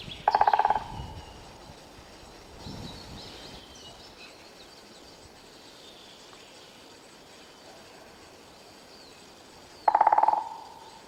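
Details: Woodpecker drumming in a forest: two short, very rapid rolls of knocks, each lasting under a second, about ten seconds apart, with a quiet, faint background between them.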